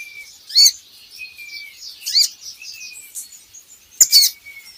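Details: Kolibri ninja singing in a lure recording for training birds: high squeaky chirps spaced about a second and a half apart, faint thin whistles between them, and one sharp click.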